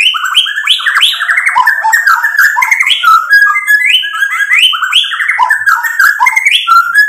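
White-rumped shama pouring out a rich, varied song of fluty whistles, slurred rising and falling notes and quick chattering phrases, loud and continuous without pause.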